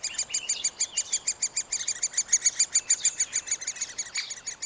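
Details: Young middle spotted woodpeckers in the nest during feeding, captured with a Panasonic FZ 2000: quick, high, repeated chirping notes, somewhat uneven, with a louder stretch of overlapping calls in the middle.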